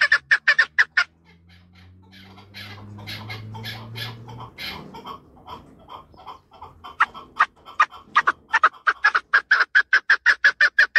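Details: Chukar partridge calling in a fast series of sharp, clucking chuk notes. The bursts are strongest at the start and end, with a quieter, scattered middle section over a low steady hum.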